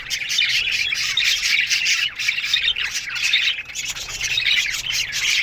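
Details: Many budgerigars chirp together in an aviary in the morning, giving loud, harsh squawks and rapid chattering warbles that run on almost without a break.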